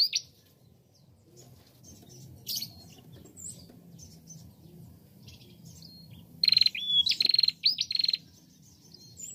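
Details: Female bar-winged prinia singing, used as a tutor recording to prompt other prinias to sing: after a quiet stretch, one burst of rapid high buzzy notes with upslurred whistles near the end.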